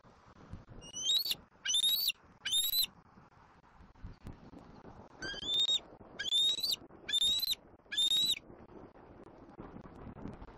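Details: Juvenile bald eagle at a Southwest Florida nest on an April 2024 afternoon, squeeing at its mother perched in a treetop: a burst of three high, thin, rising whistled squeals, a pause, then four more at a quicker pace.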